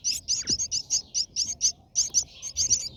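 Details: Brahminy starling nest viewed from inside during feeding: rapid, very high, thin chirps repeated several times per second in a continuous chatter.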